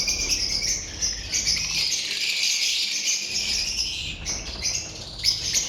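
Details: Pet lovebirds making continuous shrill twittering, a high buzzy blend of many squeaky chirps with brief louder notes near the end.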